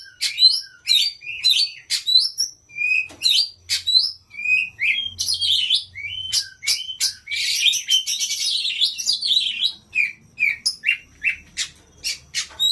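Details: Lure song of an Oriental magpie-robin meant to provoke others to sing, a long rapid stream of bright whistles, chattering trills and harsh scratchy notes, phrases pouring out almost without pause.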